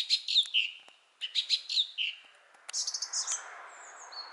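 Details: A thrush sings in varied quick phrases of high whistled and twittering notes, several short slurred notes dropping in pitch, followed by a thin sustained high whistle over faint background hiss.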